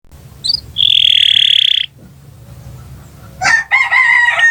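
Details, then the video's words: Canary singing in a prolonged long-song style used as a master recording for training other birds: a sustained steady whistled note with a buzzy lower band, a pause, then a burst of rough, harsh, broken notes. "Kicau Burung Kenari 149 II LUAR BIASA GACOR PANJANG Cocok untuk Masteran"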